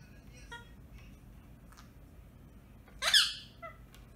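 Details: A single loud, rasping screech from a pet rose-ringed parakeet, rising sharply then fading. It follows faint scattered chirps and is followed by a soft short note, against low indoor background hiss.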